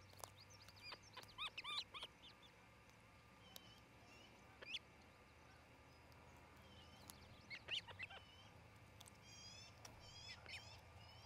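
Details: Osprey at a nest in Charlo, Montana, 27 June 2018 around midday, where a pair is building a new nest, gives bursts of high, thin whistled chirps, several quick notes at a time, every few seconds, over a low hum and faint wind.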